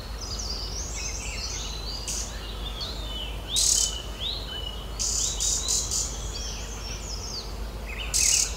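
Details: Green-backed Tit visiting its nest-hole in an old oak knot to feed chicks, Uttarakhand Himalaya, India: a stream of high, wavy, overlapping chirps with brief loud scraping bursts near the nest.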